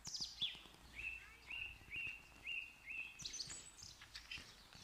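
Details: High bird call sweeping down, then five even whistled notes on one pitch, repeated about every half second, ending in a brief burst of higher chirping; light clicks in the background.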